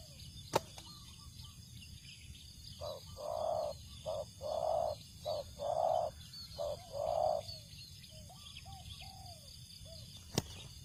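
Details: Spotted dove calling at a rice field where birds are being lured, giving a run of six low, hooting coo phrases in close bursts over about five seconds, with steady high insect hiss behind and sharp clicks near the start and end.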